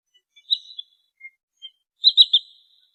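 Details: Indonesian trinil sawah sandpiper: a few scattered thin high notes, then a quick burst of three sharp chirps, otherwise quiet.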